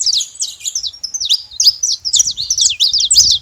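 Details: Wild saffron finches in nature giving a rapid jumble of high chirped and slurred notes, packed tightly together without a break.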